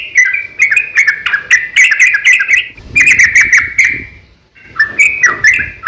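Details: Sooty-headed bulbul singing its fighting song, a lure to make other bulbuls sing: fast bursts of bubbly, chattering notes in three phrases separated by short pauses, with faint low background noise.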